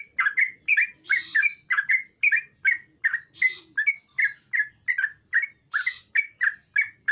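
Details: Active sooty-headed bulbul song meant to lure a reluctant bird into singing. Clipped, bright notes come in quick pairs and singles in a continuous bubbling run, with brief higher hissy bursts mixed in.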